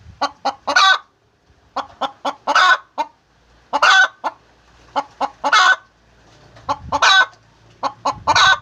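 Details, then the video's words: Hen's egg-laying call: groups of two to four short clucks, each group capped by a loud grating squawk, separated by brief pauses; faint low background rumble. "The Sound of a Hen Laying Eggs"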